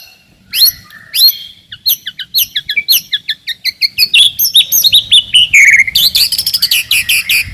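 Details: White-rumped shama song used to provoke rivals and test young birds: sharp separate notes that speed up into a dense run of varied whistles and a rapid high trill.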